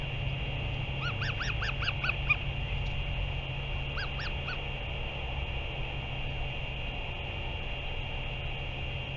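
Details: Northern royal albatross, 30 March 2023: a burst of six arched, reedy calls in rapid sequence, then a pause of about two seconds and three more similar notes, all over a persistent low drone and hiss.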